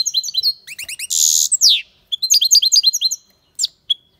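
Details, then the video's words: European goldfinch singing vigorously: quick twittered notes, a harsh buzzy burst, then bright chirping phrases ending in a few isolated calls. "Goldfinch singing the best chirping | Bird songs - Chirping birds - Jilguero cantando fuerte"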